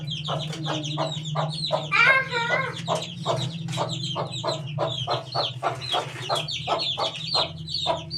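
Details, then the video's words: Young chicken chick, eighteen days old, peeping in steady rapid bursts of high, downward-curving chirps, with one louder trilled call and a constant low hum. "18 days old chick"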